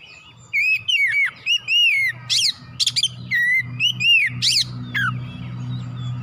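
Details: Oriental magpie-robin (kacer) singing hard, meant as therapy to rouse the bird quickly into full song; continuous varied whistled phrases, curving and dropping, mixed with loud harsh chattering bursts, low hum beneath.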